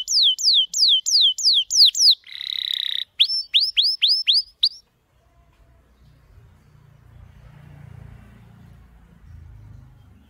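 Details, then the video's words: Canary singing in the morning: rapid repeated falling whistled notes, a buzzy rolling trill, then a series of quick upswept notes, after which the song stops and only low background rumble remains. "Sweet Sounds of Canaries - Loud Sounds - beautiful sounds"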